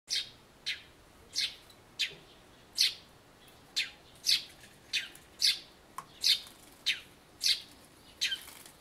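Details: Eurasian tree sparrow chirping near a birdbath on 2 April, probably spring song: about fourteen short, bright chirps, one every half second or so, in a steady run against a quiet background.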